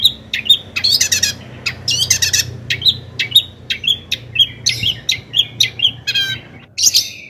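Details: Long-tailed shrike's lively song meant to excite other shrikes into singing; steady string of high chips and harsh rattling bursts, varied and continuous, over a faint low background hum.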